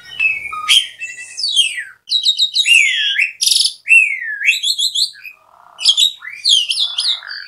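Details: An Asian pied starling in loud, busy song, the kind used to stir silent birds to sing, gives a rapid, varied jumble of whistles, slurred rising and falling notes, harsh chatters and buzzy trills, nearly continuous.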